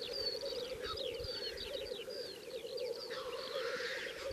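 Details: A black grouse at a lek in the swampy forests and bogs of Slitere National Park, Latvia, gives a steady, low, dove-like bubbling, with higher bird chirps above.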